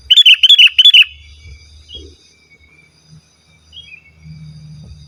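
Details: Sooty-headed bulbul, singing without mimicked fillers to lure rivals and tutor caged bulbuls, gives a rapid, loud series of about six liquid chirping whistles, then faint distant chirps and a low rumble.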